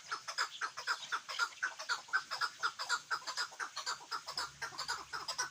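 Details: Chukar partridge kept for hunting gives a steady, rhythmic series of clucking chuck notes, about two per second, fairly even in spacing, over a low background hiss and a brief low hum near the end.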